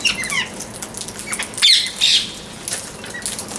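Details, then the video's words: Parrot chirping: short high chirps and squeaky notes scattered through, with a few broadband rustling bursts, possibly wing flaps, between them. "Chirping Sound of Parrot"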